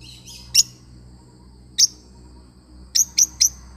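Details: A lovebird parrot gives sharp, piercing single chirps spaced over a second apart, then a fast run of three, over a faint low hum.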